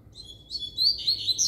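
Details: Double-collared seedeater singing firmly at close range, a loud rapid twittering phrase of high, sliding, slightly buzzy notes that grows stronger toward the end over a quiet background.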